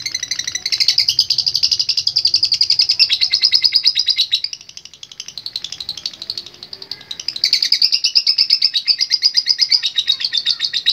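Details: Lovebird in full voice giving a long ngekek: a dense, fast buzzy chatter of rapid repeated notes, about three per second, that sags and softens midway, then surges back loud and sustained.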